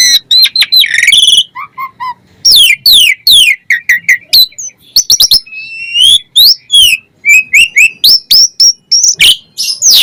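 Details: Busy Asian pied starling singing a full fill-in song that is said to rouse any starling into answering. Dense chatter, low whistled notes, falling sweeps and upslurred whistles follow each other almost without pause.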